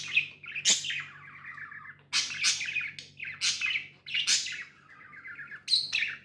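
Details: Pet budgies alternate bursts of loud, bright chirps with rattling, buzzy chatter, the pattern repeating roughly every second; a low hum runs beneath.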